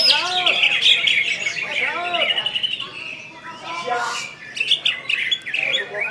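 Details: Greater green leafbird from West Kalimantan, a kept songbird singing loudly: fast, varied whistled phrases, descending arched notes repeating about twice a second, then chattery trills and buzzy high bursts.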